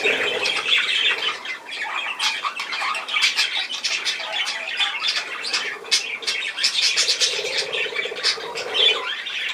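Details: Several budgerigars, filmed 10 June 2024, keep up a thick wall of chirps, squeaky warbles and rasping squawks, the busy chorus rising and falling slightly but never stopping.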